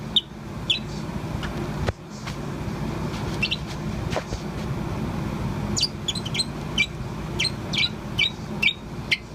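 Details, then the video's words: Young Bourke's parrot about four months old, kept as a pet and chirping on and off: scattered short, sharp high chirps, sparse at first and then in a quicker run near the end, over a constant low rumbling hum. "Chirp of Poh, the Bourke's Parrot. アキクサインコのポーのさえずり"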